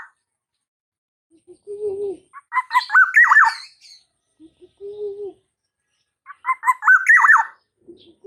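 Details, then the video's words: Practice song of a young black-naped oriole from Java, just past the speckled fledgling stage: two bursts of quick, warbled whistles with buzzy overtones, each preceded by a low, soft nasal note, about five seconds apart. "suara anak burung kepodang lepas trotol belajar PLOONG"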